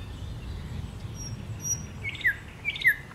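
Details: A thrush nightingale, recorded on 8 May 2022, gives a brief song fragment: a couple of thin, high whistles, then two short, sharp down-slurred chirps, over a low background rumble.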